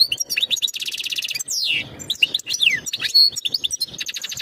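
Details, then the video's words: Goldfinch mating song used to prepare the hen for breeding: rattling buzzy trills open and close the phrase, with sweeping downslurred whistles and sharp twitters between them. "تغريد الحسون نذاءات التزاوج لتجهيز أنثى الحسون"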